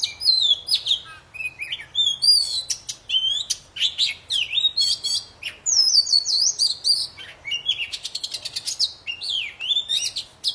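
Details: Lively, continuous poci song used to coax non-singing poci into song: varied high whistles, fast rattling trills and swooping notes follow one another with almost no pause.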